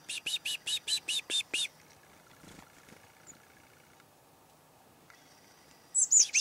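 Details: Wild chickadees visiting a hunting tree stand in the morning, 2008: a quick run of eight buzzy, harsh dee notes in the first two seconds, then quiet, with a thin high note at the very end.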